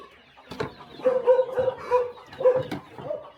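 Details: Hen clucking at morning feeding on a small countryside chicken farm: mid-pitched, nasal clucks in short groups, with a few sharp clicks and quieter chirps between.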